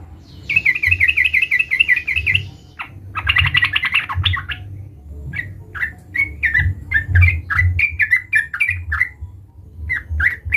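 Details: Sooty-headed bulbul calling to challenge a rival: a buzzy rhythmic rattle, a harsher noisy burst, then a long series of varied sharp chips and short whistled notes, with low background hum.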